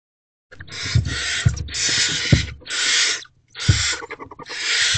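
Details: Barn owls in a nest box (Owl Box C) at 4:56 am on 25 April 2023, as the adult female returns with another large rodent for the owlets: five harsh, breathy hissing screeches of about half a second each, with soft thumps from movement in the box.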